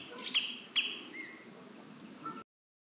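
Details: Common redshank with chicks at Marshside RSPB Reserve, Southport, Lancashire, mid-July 2018; two loud, sharp, high piping notes, followed by a softer lower whistle and a faint closing note in quiet surroundings.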